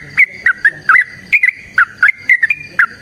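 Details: Sooty-headed bulbul singing in energetic fighting style, rapid chain of loud whistled phrases with quick upward and downward twists, steady rhythm of roughly four notes a second.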